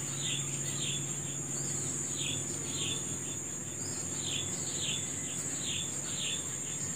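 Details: Birds singing in the morning outdoors, giving sharp falling chirps, some in quick pairs, roughly ten across the passage, against a constant piercing insect hum.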